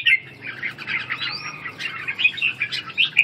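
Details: Wing-dancing red-whiskered bulbul in ché call: a continuous stream of scratchy chattering notes with one rising slurred whistle, ending in sharper, louder chips.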